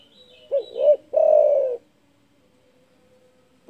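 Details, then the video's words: Loud-voiced spotted dove, a call meant to anger rivals: one full phrase of two quick swelling coos and a drawn-out coo, then silence until the next phrase begins at the very end. "DERKUKU GACOR DOR SUARA BESAR MEMBUAT EMOSI LAWAN"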